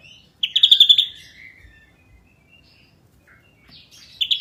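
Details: Ashy drongo in energetic gacor song: a short burst of rapid, high, shrill chattering notes, a long quiet pause, then the fast bursts start again.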